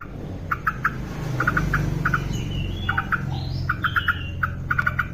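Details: Yellow-vented bulbul, described as an active, frequent singer (hashtags suggest a female), kept for training. Clusters of short, even notes sound in twos and threes, with a few faint rising whistles from other birds and a low background hum.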